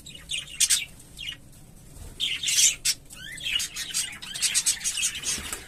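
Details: Chattering of English Fallow budgerigars, visual and carrier birds, with sharp high chirps, a few quick rising whistled notes, and scratchy bursts broken by short pauses.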